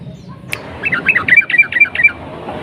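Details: Long rolling ropel song of a yellow-vented bulbul, played to provoke rival bulbuls into singing. A single click comes first, then a quick series of about nine bubbly, warbled notes over roughly one and a half seconds.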